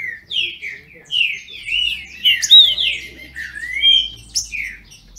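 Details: Captive green-winged saltators (trinca-ferro) from a registered Brazilian breeder, singing in competition: loud whistled phrases, slurred rising and falling notes, with short pauses between bursts.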